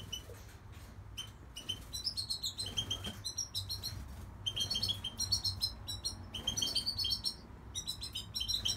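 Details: Goldfinch song of repeated quick high twittering notes in loose bursts, with a steady low hum beneath.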